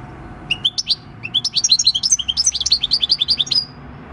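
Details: Wild-caught European goldfinch, aged six, singing the countryside song on 26 December 2019; after a short pause, a fast, continuous stream of high chirping and twittering notes that lasts about three seconds.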